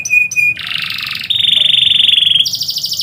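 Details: Midday song of a canary, opening with two short high chips, then a harsh broad buzz followed by sustained rolling trills that step up to a higher pitch near the end.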